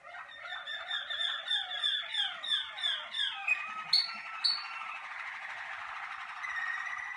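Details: Malinois Waterslager canary in its first cabinet sessions, warming up: rhythmic rolling phrases repeated about three times a second, two sharp clicks, then a softer continuous trill.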